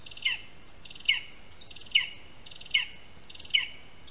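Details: At a spruce-tree nest in Latvia, early afternoon of 22 August 2021, a lesser spotted eagle calls while first prey, a rat, arrives. Five piercing, slightly falling yelps come at a steady pace, each with a buzzy upper edge.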